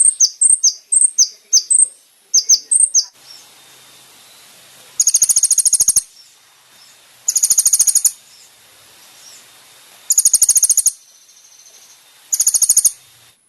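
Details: Kolibri ninja singing, recorded as training material for caged birds: a few quick high chirps open, then four separate dry rattling trills about a second long, spaced two to three seconds apart.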